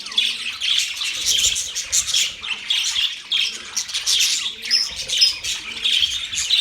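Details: Budgie chirping: loud, dense twittering of scratchy notes and clipped squeaks, with a thin whistled note near four and a half seconds. The stream barely pauses.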